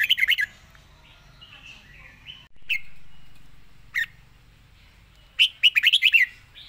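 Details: Red-whiskered bulbul singing a fast 'zone' style song, rapid-fire phrases: a quick burst of sharp warbled notes at the start, scattered short whistles in the middle, then a rapid run of bright chirps near the end.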